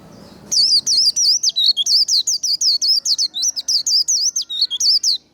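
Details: After half a second of soft low background noise, a white-eye launches into 'líu đấu', the combative 'líu' song used to train birds: a steady stream of quick, high, twisting notes to the end.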